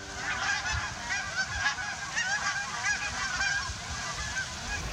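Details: A flock of Canada geese flies low in formation over a river in the woods of eastern Montana. They give a steady stream of overlapping nasal honks, several each second, with a faint low tone briefly at the start.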